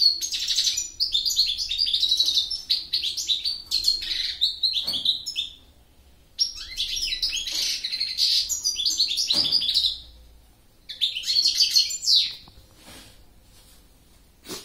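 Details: Goldfinch delivering three long phrases of rapid tinkling twitters and buzzy trills, each lasting several seconds and ending before a short silence, with occasional soft clicks between phrases.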